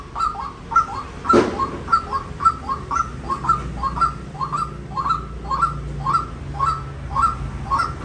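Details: Rapid run of short rising calls from a white-breasted waterhen, close to two per second, with a brief broadband click near the start and constant low hum behind.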